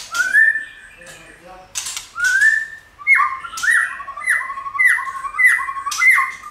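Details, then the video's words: White-rumped shama song for stimulating and training shamas: lower, mellow whistles, then a steady run of paired falling whistled notes repeated about every two-thirds of a second, with sharp high ticks over them. "Chòe lửa hót"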